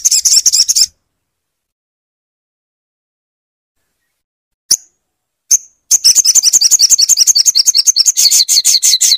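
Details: Crimson sunbird song used as a tutor to get a silent bird singing: brief sharp high chips, then a fast rattling trill of buzzy high notes repeated about three times a second to the end.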